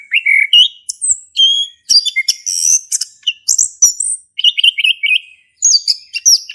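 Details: Ngeplong song of a lively male orange-headed thrush, used to spur a silent one: bursts of sweet high whistles and clipped chatter, a run of quick repeated notes late on, separated by brief silences.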